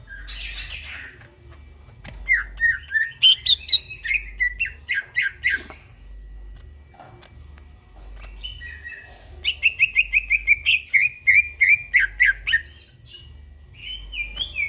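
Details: Greater green leafbird in vigorous midnight song: bursts of rapid, clicking and whistled notes with slurred, warbling phrases, a pause of several seconds, then another fast run of trilled notes. A low steady hum runs underneath.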